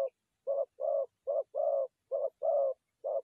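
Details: Low dove coos for luring forest doves into a trap, short and long notes alternating in quick succession against silence.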